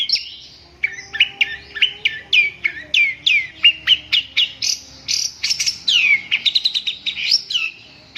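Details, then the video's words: Long-tailed shrike song: a fast, varied run of sharp downslurred whistles and chirps, repeated rhythmically for about eight seconds, with a faint low hum beneath. "suara burung cendet"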